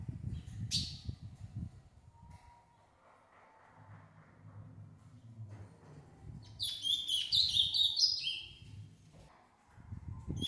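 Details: Ultramarine grosbeak in captivity, one of an adult and its six-month-old offspring, delivers a short bright burst of fast jumbled high whistles near the end, after quiet stretches with low humming background and a brief click.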